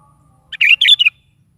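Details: Lively sooty-headed bulbul song in the morning, a single brisk phrase of bubbling, slurred whistled notes in three close bursts after a brief pickup note.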